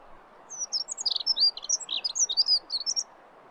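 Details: Dunnock, Prunella modularis, singing a quick, jangling warble of high thin notes, many short tinkling phrases packed into about two and a half seconds over faint low background hiss.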